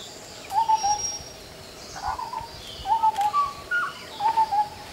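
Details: Indian scimitar babbler (Pomatorhinus horsfieldii) in forest, giving soft, low hollow whistled hoots in short paired or tripled phrases, each group about a second apart, with a faint high whistle from another bird and steady forest hiss.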